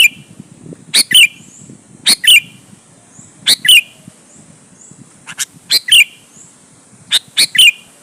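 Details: Lure recording of a sooty-headed bulbul meant to press rivals into answering: paired harsh chirps ending in a brief downslurred note, repeated roughly every second with gaps between, over a faint low rumble.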